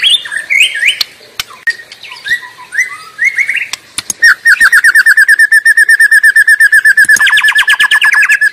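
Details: Wild white-rumped shama singing energetically in its natural habitat: varied whistled phrases with sliding notes, then a long fast series of identical short notes repeated about three per second, shifting to a slightly different pattern near the end.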